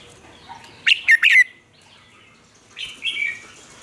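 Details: Captive red-whiskered bulbul from Vietnam, a lure singer for training other bulbuls, producing a quick run of three or four sharp whistled notes, then a quieter slurred warble after a pause.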